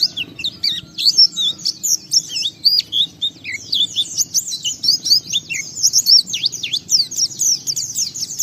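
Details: White-eye (pleci) in full, fast song meant to provoke other white-eyes: dense high twitters, rising and falling chirps, and trills, running almost without pause.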